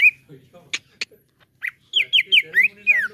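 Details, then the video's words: Cucak ijo (greater green leafbird) lure song to make a caged bird sing: a short whistle and two sharp clicks, then a run of five bright downslurred whistles in under two seconds. "JADIKAN CUCAK IJO ANDA CEPAT NGEPLONG PANCING IJO INI"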